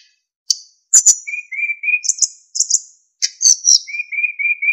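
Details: Captive narcissus flycatcher in lively training song with fills and clean whistles: high sharp notes and whistles alternate with a series of low, level whistled notes repeated several times, ending with four similar low whistles.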